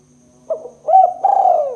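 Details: Spotted dove lure for trapping, calling a quick low note, a rising rounded hoot and then a long, rough, gently falling coo that runs to the end, with a faint low hum beneath.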